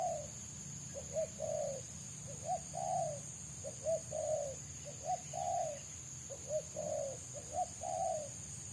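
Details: Spotted dove, a wild bird sought by trappers, singing in rapid 'selang nguku' style. Evenly spaced pairs of soft coos, a short note then a longer one, come about every 1.3 seconds over a high continuous whine.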